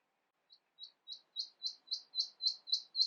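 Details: Common nightingale singing a varied song said to mimic a whole flock of birds: a series of short, high, sharp notes repeated about four times a second, growing steadily louder. The background is quiet.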